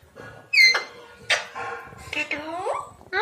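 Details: Pet parrots, a pair kept indoors, filmed August 2019: a sharp high squawk followed by harsh bursts and a drawn-out rising, wavering talking-like phrase, then another sudden loud note at the end.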